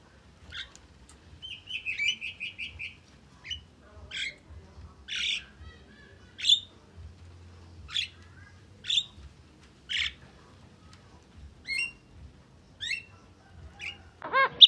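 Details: Javan myna, used as tutoring and lure audio for songbirds: scattered harsh, scratchy notes spaced about a second apart, opening with a short rapid chirping trill and ending in a loud rising squeal.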